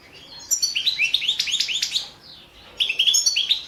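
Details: Competition European goldfinch, subspecies balcanica, 2017 world championship; a fast string of clear, rising twittered notes for about one and a half seconds, a short gap, then the run resumes.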